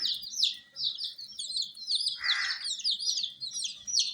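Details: Many coloured baby chicks (murgi), kept under provided heat, peep constantly in a dense, overlapping chorus of high, short, downward-sliding chirps, several each second, with a brief rustling burst midway.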